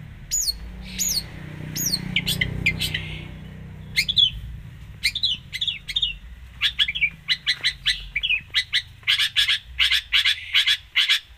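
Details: Long-tailed shrike singing vigorously with mimicked insertions: a run of high falling whistles, then dense bursts of sharp clicks and chips that speed into a rapid rattling series near the end.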